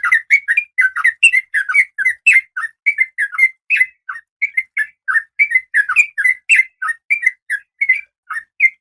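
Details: Female oriental magpie-robin in breeding condition calling the male: a fast, steady run of short, chirpy, slurred whistled notes, rising and falling, some with sharp high ticks, nearly continuous for nine seconds with no other sounds.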